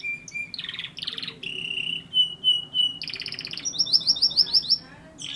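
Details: Canary song made of varied phrases: steady whistled notes, buzzy rattles, a held trill, then a fast run of sharp high chirps repeated several times a second.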